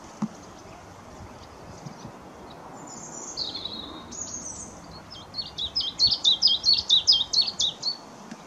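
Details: A willow warbler at Whitlingham, 2 May 2017, sings a mixed song: a few high, sweet descending slurs, then a fast run of about fourteen sharp, high repeated notes over a low background hum.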